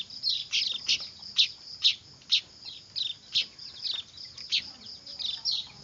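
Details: Weaver nestlings calling noisily, used to lure birds: a steady run of high, sharp chirps about twice per second, rather even and insistent, over a faint hiss.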